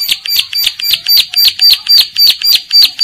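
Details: Bar-winged prinia in breeding condition calling other females, who answer back: a loud, steady stream of harsh, buzzy, high-pitched notes, about eleven in three seconds, each with a sharp ringing edge.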